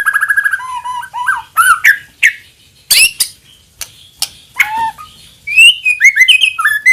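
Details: White-rumped shama lure song; a rapid trill, downslurred whistles, harsh notes and a final run of varied whistled phrases.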